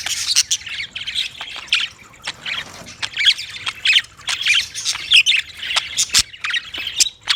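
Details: Budgies producing continuous scratchy chatter of high squawks and clicks, with a few sharp ticking snaps standing out.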